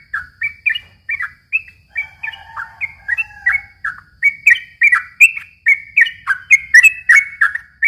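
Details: Yellow-vented bulbul long song, played as a lure for young bulbuls: liquid downslurred notes in a fast series, with a few lower, softer notes near the start and a faint low rumble behind.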